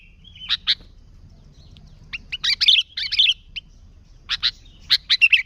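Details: Sooty-headed bulbul singing as a lure for bulbuls, scattered sharp chips and bursts of quick warbling chatter separated by short silences.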